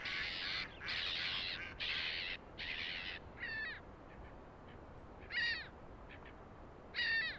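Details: On a Belarusian pond in March, a Canada goose, a rare vagrant here, gives a burst of loud, rasping honks in quick succession, then spaced, ringing double-noted honks every second or so.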